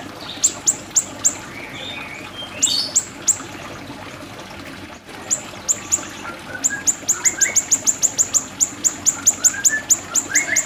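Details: Siri-siri bird for song tutoring: bursts of sharp high ticking notes, a short jumbled twitter, a brief lull, then a long rapid run of ticks with faint rising whistles.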